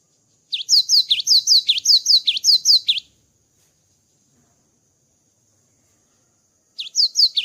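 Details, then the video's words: After moulting, a cinereous tit belts out a loud, clean chain of shrill repeated two-note phrases for about two and a half seconds, falls silent, then starts another burst. "GELATIK BATU GACOR ‼️ KICAU GELATIK BATU SETELAH MABUNG"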